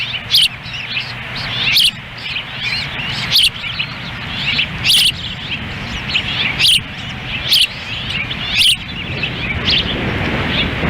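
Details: Osprey pair at a Lolo, Montana nest on June 10, 2017. The female feeds in gusty wind while the male stands by. Irregular, loud, high chirps, some in quick pairs, sound over constant wind.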